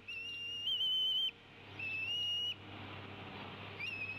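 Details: Female bald eagle at the Decorah nest, 29 April 2016, around 15:22, tea kettling at the male while both feed an eaglet: three high, thin, slightly wavering whistles, each about a second long, over a low hum.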